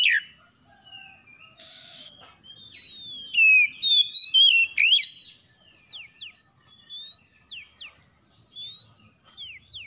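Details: Oriental magpie-robin morning song exchange, harsh in style: a run of thin rising whistles and sweeps, then a series of short downward-slurred whistled notes repeated about twice a second.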